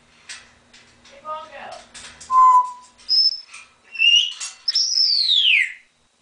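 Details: Pet African grey parrot mimicking sounds, here a mix of laugh-like chuckles, a steady pure whistle, short high tones and a long loud downslurred whistle.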